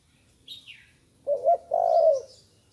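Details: Young spotted dove just learning to call: one low cooing phrase, a short break then a longer steady coo, both hoarse and around one pitch, after faint higher chirps from other small birds.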